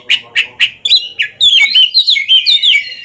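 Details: Caged ringed Oriental magpie-robin in a song duel: three evenly spaced sharp chips, then a flowing stream of clear, wavering whistled notes sliding up and down.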